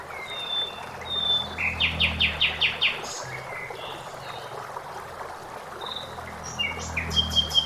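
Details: A Common blackbird sings in a forest: high whistled notes and a quick run of six or seven bright, repeated chirps, given twice, against a steady rush of flowing water.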